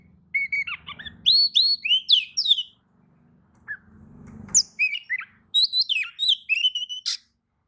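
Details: Oriental magpie-robin answering another's song: quick strings of sweet, sliding whistled notes, a short pause, then more varied whistles and chatter, with a faint low hum behind.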